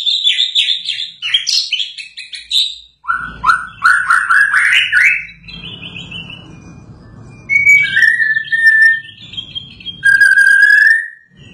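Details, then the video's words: White-rumped shama just after moulting, sung as a therapy track: loud, varied whistled phrases, first high and rapid, then lower rising notes, with pure sustained whistles near the end. "Burung Murai Batu Gacor l Terapi Murai Batu Habis Mabung"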